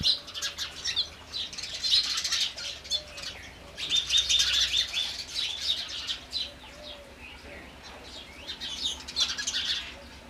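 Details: House sparrow: steady, busy chirping with many short, sharp notes overlapping, in louder clusters around two and four seconds, over a faint low hum.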